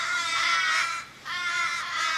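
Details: Several Australian ravens gathered around a fallen, car-struck mate in suburban Sydney, 1 July 2012: long, hoarse, wailing caws, one drawn-out cry followed by another after a short dip.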